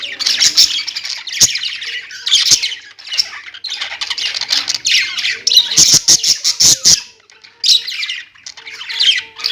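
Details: Budgerigars kept as pet birds, chirping: dense, scratchy warbling chatter with harsh squawks, several birds overlapping almost continuously, punctuated by sharp clicks and taps and a few short low squeaks.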